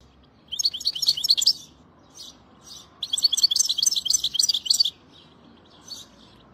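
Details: European goldfinch singing: two bursts of rapid, liquid twittering and tinkling notes, each about a second long, with softer scattered chirps between and after them.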